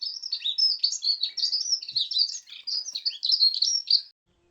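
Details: During a dawn chorus on a UK smallholding, a dunnock sings a loud, fast, squeaky warble of high jumbled notes, like a creaking gate, running for about four seconds before stopping.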